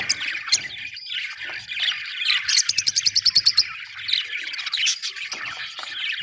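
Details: Budgie chatter of scratchy warbled notes, interrupted by a fast run of about ten sharp clicking pips before the warbling returns.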